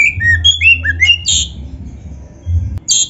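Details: Oriental magpie-robin masteran for training caged birds: short clear whistles stepping up and down, then rasping bursts, over a low steady hum.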